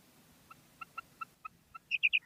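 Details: Female common quail calling: soft, evenly spaced single pips, then a loud rapid burst of three sharp, high notes at the end over a faint low hum.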